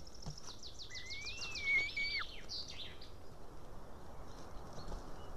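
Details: A white-tailed eagle chick in an Estonian nest, filmed by webcam in June 2018 evening, begs for help eating a fish: a rapid series of thin pulsed high notes overlapping a wavering, rising whistle, over steady outdoor noise.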